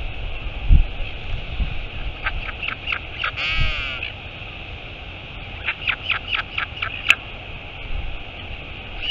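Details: Royal albatross at its nest as the mother arrives, Taiaroa Head colony near Dunedin, New Zealand, 23 August 2022, live nest camera: bursts of sharp clicking notes, a short harmonic nasal call, then another run of rapid clicks over steady background hiss.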